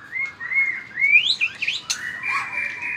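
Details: White-rumped shama singing in fighting style while flicking its tail strongly: clear sustained whistles, a quick rising slur, a sharp click, then a long steady whistled note.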